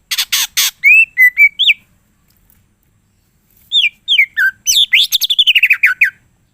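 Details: Greater green leafbird in full song: harsh rasping bursts, then slurred whistles, a pause, and a fast run of chattering, downslurred notes about four per second, loud and clean.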